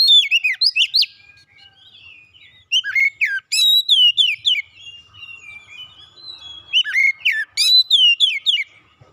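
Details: Oriental magpie-robin, a kept bird, singing as therapy for a stressed bird: bursts of loud, sweet whistled notes sliding downward, several in quick series, then pauses, then more rapid whistled phrases and high chirps.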